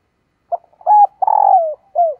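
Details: A female dove calls to draw in males, opening with a soft short note, then a steady coo, a long throbbing downward-sliding coo, and a last brief falling coo, loud and clean.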